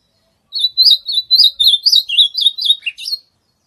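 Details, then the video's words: Ultramarine grosbeak song used to warm up singing: one quick, rich phrase of about a dozen slurred, high whistles, warbling up and down for nearly three seconds, then stopping. "CANTO DO AZULÃO"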